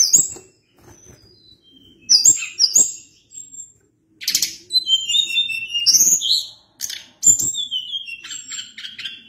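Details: Sunda blue robin in full, lively song: bright high whistles and quick slurred phrases, with bursts of harsh, buzzy notes and brief silences between phrases, over a faint low background hum.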